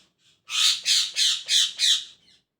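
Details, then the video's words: In the morning a parrot gives five loud, harsh squawks in quick even succession, about one every third of a second, with faint softer notes before and after. "Parrot Chirping At Morning | Parrot Sound"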